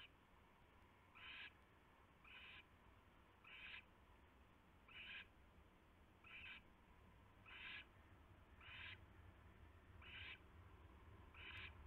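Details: Around 3:30 AM on a nest tray, February 2016, a perched owl repeats short, rough hissing screeches about every second, nine or ten bursts in a steady run over background hiss and low hum.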